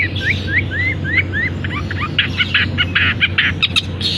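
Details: Caged long-tailed shrike singing vigorously right after its cage cover is opened, its song filled with canary imitations: a run of quick rising whistled slurs, then buzzy, clipped notes and chatter. Low background hum.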